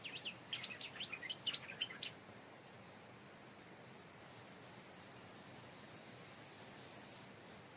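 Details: Stripe-throated bulbul decoy calling where a new territorial bird has settled; a quick run of bright, bubbling, jumbled notes over the first two seconds, then only quiet background hiss.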